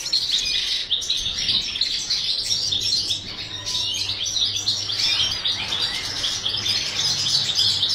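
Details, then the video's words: European goldfinch in a breeding cage during the breeding season, singing dense twittering, tinkling phrases high in pitch that run almost without pause; a steady low hum sounds underneath. "Goldfinch breeding_chant chardonneret"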